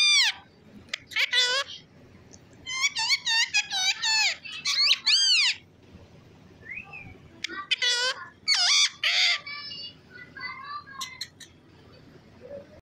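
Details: Pet parrot whistling: bursts of loud, clear, arching whistles sweeping up and down, some short and rapid, others drawn out, in irregular phrases with brief pauses, plus softer chatter between them.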